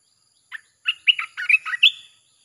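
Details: Red-whiskered bulbul in nonstop 'sap' chopping song, played to lure wild birds: a single lively phrase of about eight bright, slurred whistled notes, closing on a higher, drawn-out note.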